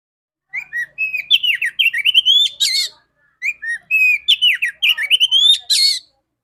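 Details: Female Oriental magpie-robin song meant to excite males into singing: two rich phrases of rapid warbled whistles, rising and falling notes with raspy accents, separated by a brief pause.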